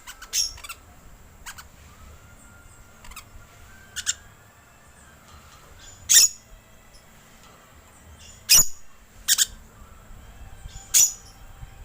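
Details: Green lorikeet calling as a lure with sparse, sharp screeches spaced one to two seconds apart, some brief and clipped, the later ones louder and harsher.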